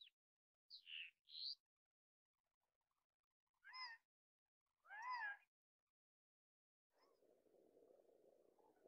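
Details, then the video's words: Male Gambel's quail announcing his breeding availability on a windy day in the Sandia Mountain Wilderness. Four nasal, harmonic, arched notes sound in close pairs, followed by a rush of wind. "Male Gambel's Quail Bird Call"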